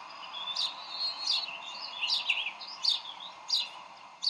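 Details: Decorah bald eagle parents squabble over fish at the nest on 30 May 2012. Soft, high whistled notes with sharp accents repeat roughly every half to one second, fading toward the end.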